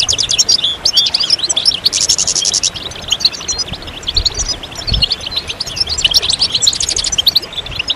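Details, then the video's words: Goldfinch song: a rapid, high-pitched twittering of short chirps and trills, broken near the middle by a dense buzzy stretch, continuing steadily throughout with faint low background rumble. "Magical Goldfinch Songs"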